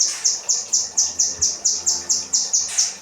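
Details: Kinoi bird song used as 'rambatan' training material for cage birds: a fast run of high, sharp whistled notes, each falling slightly, about four per second and steadily repeated, with a stronger final note.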